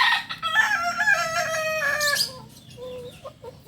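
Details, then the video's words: Kukuak Balenggek rooster, a native breed of Solok, West Sumatra, giving a long ringing crow with layered harmonics that holds steady for about two seconds, then drops into a softer, fading tail. "Ayam kukuak balenggek ayam asli solok sumbar"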